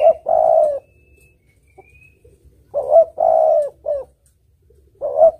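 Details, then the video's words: Melodious cooing of a spotted dove (tekukur), sung as a trapping lure: a short coo then a long rolling coo, repeated in phrases about two and a half seconds apart, with a short final note. "Suara Burung Tekukur Merdu Jenih | The sound of the turtledove is melodious and rich"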